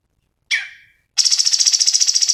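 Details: Cucak cungkok in energetic song for tutoring songbirds: a single harsh rasping note, then a high, rapidly pulsed buzzy trill.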